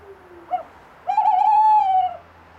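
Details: At night, a Tawny owl hooting up close gives a brief soft note, then a long, pure, steady hoot lasting about a second that rises slightly and fades.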